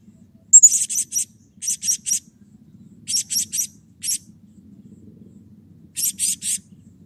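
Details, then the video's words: Blue-crowned hanging parrot in lively, excited calling used as a lure to prompt other birds to call: clusters of two to four very high, thin buzzy notes, short pauses between groups, soft low hum beneath. "SERINDIT GACOR EMOSI || Pancingan Ampuh Agar Serindit Rajin Bunyi"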